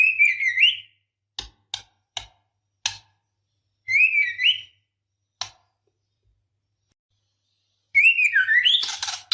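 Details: Female white-rumped shama in breeding condition calling a male: upslurred whistled phrases repeat, separated by sharp isolated clicks, and the last phrase ends in a harsh buzzy rasp.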